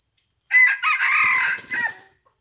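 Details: Red junglefowl crowing during a trapping session that lures wild junglefowl: one loud, harsh crow of several broken segments lasting about one and a half seconds, over a steady high-pitched insect hum.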